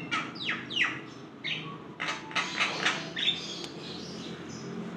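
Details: Javan myna (jalak kebo) in full song as a lure recording: slurred downward whistles and grating, broadband notes in uneven bursts, roughly one every two to three seconds, above a steady low-frequency hum.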